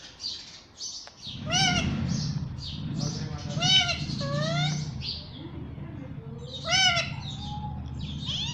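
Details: Talking pet parrot said to say "mummy" and "papa"; chattering, wavering squeaky syllables in short bursts over a steady low background hum, with louder strained notes near the middle and end.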